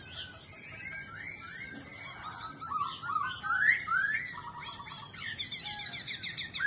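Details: Laughingthrush kept as a cage bird, singing and dancing: a jumbled, varied song of swooping whistles and squeaky slurs. It ends in short stuttered notes and a buzzy chatter.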